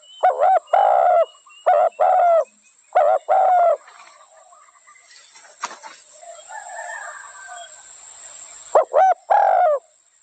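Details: Spotted dove giving three quick coo phrases, each a short double note then a longer coo, followed by a pause filled with soft background bird chatter and a sharp click, before one more phrase near the end.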